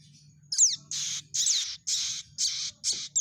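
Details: Prinia chick begging as a trapping lure: one sharp falling chirp followed by a string of broad, harsh, hissing high notes about a third of a second each, evenly spaced.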